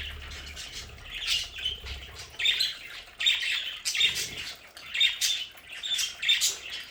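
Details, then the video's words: Pet budgerigars in their play area at home, chattering in bursts of squawks and scratchy chirps, with brief quieter pauses and a soft low rumble in the background. "Sonidos de budgies para Budgies en casa"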